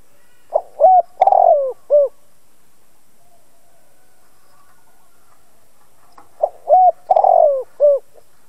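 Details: Lure cooing from a spotted dove, used to stir other doves to call: two identical soft, low phrases of four or five hollow coos, separated by about four seconds of near silence.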